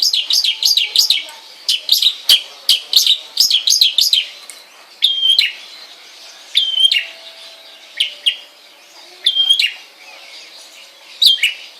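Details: Long-tailed shrike kept at home gives a fast series of sharp falling chirps, then slows to spaced single notes, some with a steady whistled stretch, every second or so.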